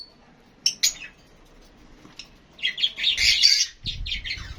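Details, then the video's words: Lovebirds calling among themselves: a long quiet stretch broken by a pair of sharp high chirps, then a dense, rough burst of shrill chattering squawks near the end. "Love Birds HD Sounds"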